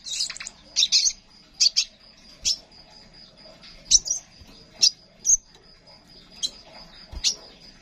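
Crimson sunbird giving bursts of very high, thin chips and twitters, repeated every second or so, over a steady high-pitched ringing tone.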